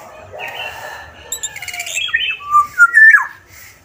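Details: Black-naped oriole of Sumbawa in lively song: softer murmured and chattering notes build into loud, clear, liquid whistles that step upward near the end, with a brief harsh burst in the middle.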